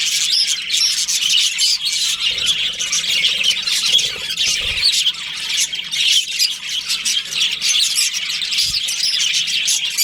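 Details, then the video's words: Budgerigars in a breeding colony give a nonstop mix of harsh squawks and rapid chirps, the chatter rising and falling in loudness, a few faint low bumps. "Cute budgies chirping sounds"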